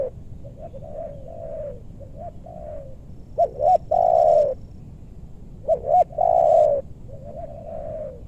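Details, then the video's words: Spotted dove cooing during bird luring in a meranti forest, Bogor. Soft low coos run throughout, and two loud phrases break through, each with quick double notes and a long drawn coo. "Pikat tekukur ajaran si bucil paksa turun bl suara besar"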